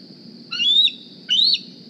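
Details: Juvenile bald eagle D36, hatched April 2020 and fitted with a GPS transmitter, flying to the Decorah nest in the morning looking for a meal: two high, thin, rising squealing whistles about 0.8 seconds apart over low steady hum.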